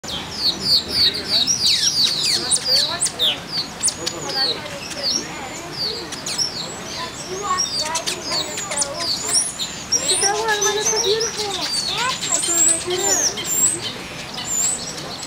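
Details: Taveta golden weaver perched on a branch, singing while preening: a busy, jumbled stream of squeaky, sizzling chatters and buzzy notes, rapid and unbroken, with a voice talking in the background.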